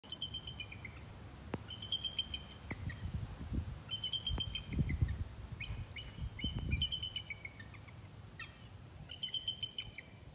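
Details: A female eagle perched on a church cross in Solomons, Maryland, on a late October afternoon gives thin, high chittering bursts falling in pitch every couple of seconds, over low wind rumble and sharp clicks.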